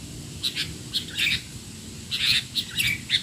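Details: Sooty-headed bulbul, noisy masteran for young bulbuls: two quick bursts of sharp high chirps and short slurred notes separated by a brief gap, over a steady low background hum.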